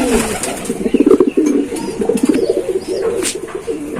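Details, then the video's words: Giribaz pigeons give low, throaty rolling coos that overlap and swell in bursts, with several birds calling together and faint room echo. "পাগলা কবুতরের ডাক🔥| কবুতরের ডাক | Pigeon Sound"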